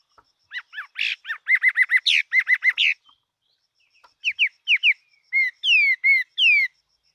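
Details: Fighting Chinese hwamei singing loud, clear whistles, first a rapid string of repeated two-part notes, then after a pause a slower series of downslurred, ringing phrases. A faint high ticking continues in the background.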